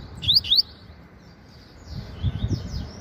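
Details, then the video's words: A caged Double-collared Seedeater giving half song while sunbathing in the morning: two quick, bright, upward-sweeping whistled notes, then faint high twitters over a low background rumble. "Coleiro Papa-Capim Revelação Meio Canto Cantando Muito"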